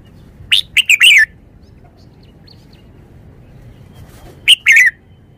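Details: Red-whiskered bulbul delivering two short, sharp warbled phrases of three or four quick notes each, about four seconds apart, with near silence between.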